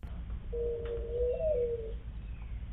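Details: Mourning Dove gives its nest coo in spring, a soft, low hooting coo of about one and a half seconds stepping low, higher, then low again, over faint hum; males use it to draw a female to a nest site, and both sexes use it at incubation shift changes.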